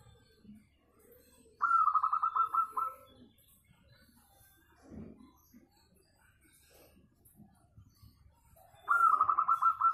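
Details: Local zebra dove, its melodious voice used as a lure for singing: two loud stuttering trills, each a rapid series of about ten pulsed coos held level, separated by roughly seven seconds of quiet with faint distant sounds.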